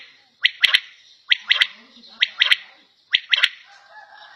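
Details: Quail (battair) in a home setting repeating crisp, high, three-note calls about once a second, four phrases in a row, with faint scratchy noises trailing at the end.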